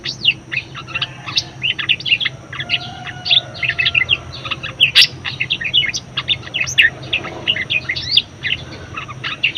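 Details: Budgerigar song, a recording offered for prompting and tutoring other birds: a busy, unbroken chatter of short, sharp chirps and clicks, high-pitched and jumbled, with a low steady hum underneath.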